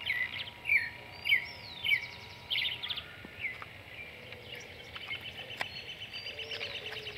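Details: Creamy-bellied thrush singing in the morning, giving short warbled phrases about every half second, then softer chirping notes, with a steady high insect-like hum beneath.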